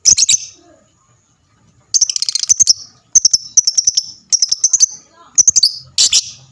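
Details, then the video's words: Lovebird chatter used to get other lovebirds calling back. Bursts of rapid, shrill chirps are separated by short pauses, each burst a quick rattle of high ticking notes. "lovebird mu di jamin langsung nyaut rame bunyi gacor"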